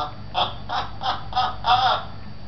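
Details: Talking African grey parrot at a pet shop in Beit Hanina, Palestine. It gives five hoarse, voice-like syllables in a row, squawky and evenly spaced, with the last one longer. The setting is an indoor room with a faint hum.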